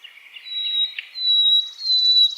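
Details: Asian brown flycatcher training song meant for other songbirds to imitate. A thin, high, sustained whistle holds steady on one pitch, and the second half gains a faint buzzy, pulsing edge.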